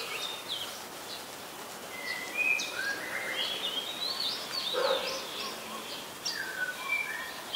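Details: Oriental magpie-robin in song at Ubon Ratchathani, Thailand, 26 July 2022, recorded with a Nikon P1000: scattered short whistles and slurred notes of varying pitch, moderately loud against a constant noisy backdrop.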